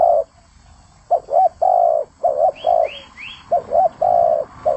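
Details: Spotted dove singing energetically: low, mellow cooing notes in short phrases, some doubled, separated by brief pauses, with three quick rising whistled sweeps from another bird in the middle.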